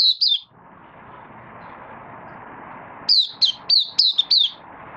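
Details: Oriental white-eye from Malaysia, kept in a cage and in light moult, gives two high chirps, falls quiet over a steady low hum, then delivers a quick string of six sharp, downslurred whistles.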